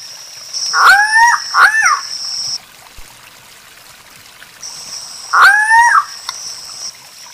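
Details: Repeated loud, harsh nasal squawks of a Guianan cock-of-the-rock, two close together then another after a gap of several seconds, with bursts of high insect buzzing in between.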